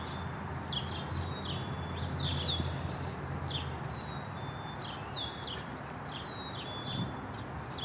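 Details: Black-capped chickadee calling in a backyard garden in Downers Grove, DuPage County, Illinois; high, quick downslurred notes and a few thin steady whistles repeat in loose clusters over low background rumble.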